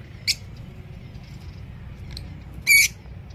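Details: Pet green ring-necked parrot, known locally as tota mithu, kept among other birds: two short, harsh, high squawks, one faint near the start and a louder, buzzy one near the end, over a low background hum.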